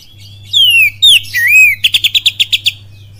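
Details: Kapas tembak cililin style song by an oriental magpie-robin: a falling whistle, a sharp slurred note and a curling phrase, then a rapid even run of about eight clipped notes, above a constant low hum.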